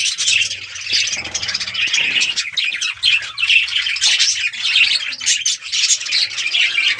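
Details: A busy colony of breeding budgerigars chirping and chattering nonstop, a dense wash of high, scratchy warbles and squeaks with no pauses.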